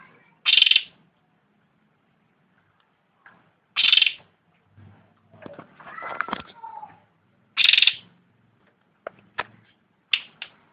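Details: Spaced harsh, buzzy notes from a cucak ranting, roughly three seconds apart, with scattered clicks, knocks and a brief softer warble between them.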